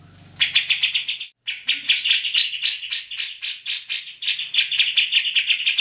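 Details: Energetic grey-cheeked bulbul song kept as tutor material for other songbirds: a dense run of rasping, rattling notes after a brief break, delivered roughly four per second.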